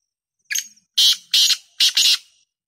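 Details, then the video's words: Black francolin calling: a short harsh opening note, then three loud, rasping, grating syllables in quick succession, each about a quarter second long. "Black tater tots voice"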